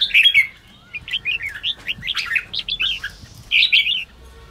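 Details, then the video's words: Red-whiskered bulbul song used to stir up timid or newly caught bulbuls so they start singing; a lively run of short, bright, chirpy and warbled notes with brief gaps, with faint background hiss. "Kích chào mào yếu lửa/Kích chào mào bổi nhanh ra âm"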